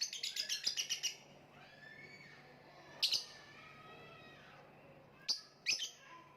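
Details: Lovebird calling: a burst of rapid, shrill high chirps at the start, then isolated sharp squeaky notes, over faint, softer tonal chirping from other birds in the background.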